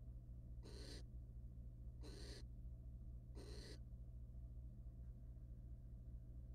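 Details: Wild barn owls at a nest box, male mating and then preening the female's feathers; three harsh hissing bursts roughly every one and a half seconds, then quiet except a low hum.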